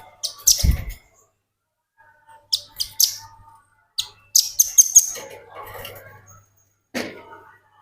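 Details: Velvet-fronted nuthatch singing vigorously as training material for other birds: sharp, high chip notes in small clusters, a short burst of twittering, and a few harsher notes with lower noise.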